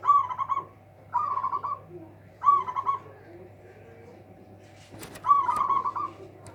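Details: Zebra dove of local stock, praised for a loud voice that overwhelms rivals, delivers four bubbling, stuttering coo phrases about a second apart, with a sharp click or tap near the end over a constant low hum.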